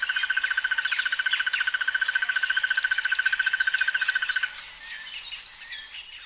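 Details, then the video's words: Crested barbet producing a fast, even, rattling trill for about four and a half seconds before it cuts off, followed by a busy mix of other birds' high whistles and chirps. "The sounds of Crested barbets"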